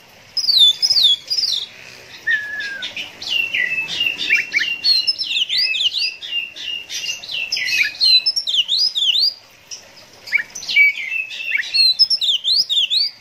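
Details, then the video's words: An excited Oriental magpie-robin in competition-style song pours out rapid, varied, high-pitched whistles, slurred notes and chattering phrases almost nonstop with only brief pauses. "KACER KONSLET NGEPLAY ADU MEKANIK"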